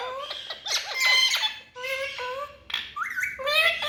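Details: Parrots in a small room producing squawky, speech-like syllables, a few rising whistled tones and short word-like bursts, separated by brief pauses.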